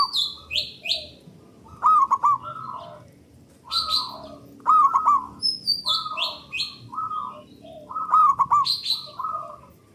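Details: Local zebra dove singing loud, long cooing phrases used as a lure to stimulate other doves to sing; bursts of rolling, stuttered coos recur every few seconds, mixed with higher chirping notes from other birds.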